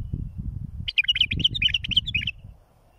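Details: A bulbul sings for teaching young birds to fledge, a rapid run of a dozen or so bubbly, warbling notes over low background rumble, ending in near silence.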